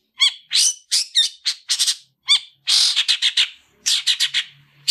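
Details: Long-tailed shrike, fighting song for tutoring other shrikes: sharp ringing notes and harsh raspy bursts in quick groups, then a longer rattling chatter and a few scratchy phrases near the end.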